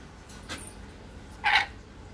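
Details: Pet red-collared lorikeet bathing in summertime gives one brief, harsh, shrill screech after a faint click, against a quiet background.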